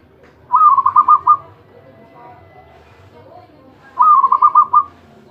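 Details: Zebra dove, a champion singer calling continuously, repeats a trilled phrase of about six quick rounded coos twice, roughly three and a half seconds apart, over a quiet background.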